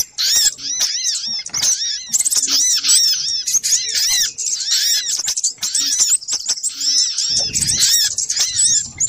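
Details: Little spiderhunter lure sound, noisy compilation: rapid high-pitched arched chirps stacked into a frantic chatter. Near the end a short low rumble sounds beneath the calls.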